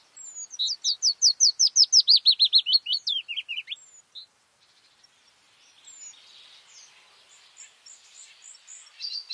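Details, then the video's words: A white-spotted bluethroat sings in May, opening with a strong, rapid series of about twenty repeated bright notes that step downward, then falling quiet to faint distant chirps. "A Bluethroat (Luscinia svecica cyanecula) song in May"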